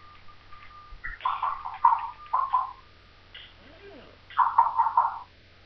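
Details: Pet African grey parrot talking while playing fearlessly: short, word-like phrases in mid-pitched, voice-like bursts, a pause, then another run of syllables, with a steady low hum underneath.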